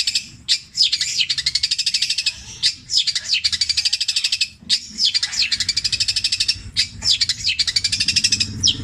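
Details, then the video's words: Mimicking long-tailed shrike with a repertoire of kingfisher, kuntilanak and sparrow sounds, petir style, delivered at length and repeated. Loud, fast, buzzy trills broken by sharp chips, repeating in bursts of about two seconds. "CENDET INI MUNTAHKAN TENGKEK BUTO KUNTILANAK GREJA NYERET PETIR KW PANJANG2 DAN DIULANG2"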